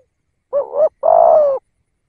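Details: Lure call of a decoy spotted dove: a single phrase of a soft undulating hoot, then a sustained, even coo that sinks slightly at the end. The background is silent.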